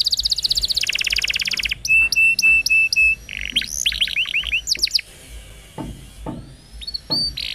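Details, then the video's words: Long-singing canary song played as a training master for young birds: a fast buzzy trill, then steady pure whistled notes, a cascade of curved swooping notes, and sparse high chips near the end. "Kenari Gacor Panjang !! Masteran Burung Kenari PAUD dan Pancingan Kenari MACET BUNYI"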